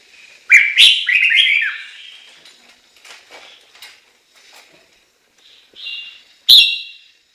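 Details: A Chinese hwamei gives a short run of ringing, descending whistles, then quieter fragments, ending with a sudden sharp, loud note.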